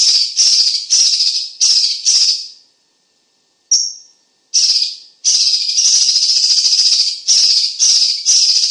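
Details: Cucak cungkok singing as a vocal tutor for competition birds, its voice described as loud and dense: very high, harsh hissing bursts about half a second long, repeated in quick series with one short gap.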